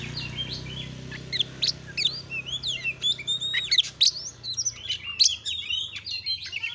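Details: Oriental magpie-robin (kacer) giving energetic gacor song as masteran audio: quick sequence of sharp chips, whistled slurs and high notes over a steady low hum in the background.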